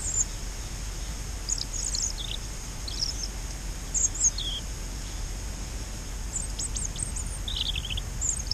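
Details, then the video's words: A European robin sings its sad autumn song at a waterhole in Flanders after rainy days: thin, high, trickling phrases, brief and scattered with pauses between, over a steady low rumble. "Roodborst - Erithacus rubecula - Robin - Sad Song"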